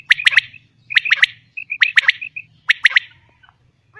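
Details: Female common quail call: four bursts of sharp, emphatic notes grouped in threes, separated by short pauses and softer clipped notes, with a faint low hum below.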